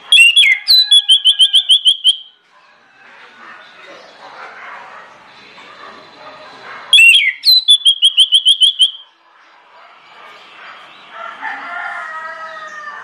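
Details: Lure song of an orange-headed thrush, loud and insistent, used to trigger other birds: two bursts of whistled slurs, each running into a rapid string of about ten clipped repeated notes, separated by quieter hissy chatter.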